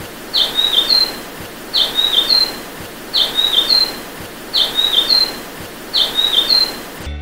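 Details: A grey-headed canary-flycatcher from Sri Lanka repeats a high, sweet, whistled phrase of several quick notes about every one and a half seconds, five times, over faint background hiss.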